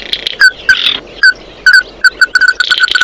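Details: Oriental white-eye calling its flock, giving loud clipped chips in uneven bursts, then a quickening run of rapid repeated notes with a buzzy twitter behind them.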